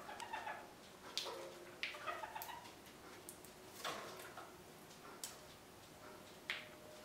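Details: Captive red-crowned parakeets in winter, given a large willow branch to keep them busy; sharp, harsh chattering calls with short tonal notes, in scattered bursts about every second, over faint rustling and clicking.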